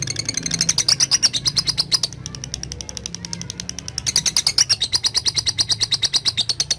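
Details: Lovebird chattering (ngekek) in reply to calls, from training audio for young lovebirds: two bursts of rapid rattling harsh notes, many per second, separated by a two-second pause.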